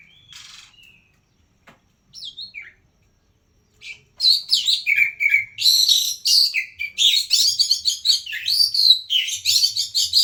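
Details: Oriental magpie-robin, locally called kacer, singing loudly while seeking a rival. After a few scattered whistles, the song erupts into a dense, fast run of varied whistled, slurred and chattering phrases that continues to the end.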